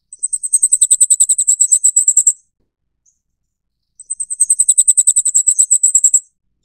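Very high, thin Flamecrest notes in rapid, even series of about twenty, each burst lasting two seconds and repeated after a pause; nothing else heard.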